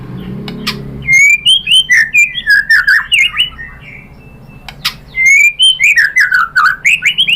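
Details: White-rumped shama song used to provoke other birds: two long bursts of loud varied whistled phrases, swooping up and down with sharp clicks, separated by a short pause.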